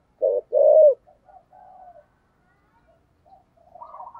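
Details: A spotted dove in the 'thổ sấm' voice gives two loud, low, hollow coo notes, the second longer and drawn out, followed by faint soft murmuring notes.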